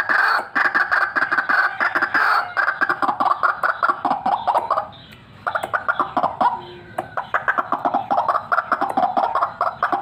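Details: White-breasted waterhen, a fighter calling vigorously, recorded for luring: loud, grating croaks in a relentless fast rhythm, a brief silent break near the middle, then the pulsing calls carry on.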